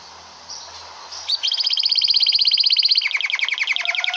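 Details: A canary's long roll for song mastering: quiet background with faint noises, then a fast, even trill of rapid pulses that drops lower into a broader rolling phrase.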